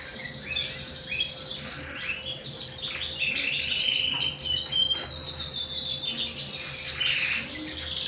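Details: Canary singing at home: fast rattling trills and chirps in rapid pulses, high and bright, broken by brief whistled slides and steady rolling phrases, with a faint low hum underneath.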